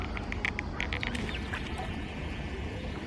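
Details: Eurasian coot at Lake Garda, Italy, June, where coots were feeding chicks: a quick burst of thin high peeps about a second long, then only a steady low rumble of wind and water.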